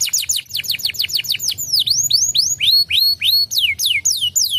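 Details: Canary song played as a lure to provoke another canary into singing: fast trills of short descending notes, then looping upslurred and downslurred whistles repeated about three times a second, high and clear, with a faint low hum beneath.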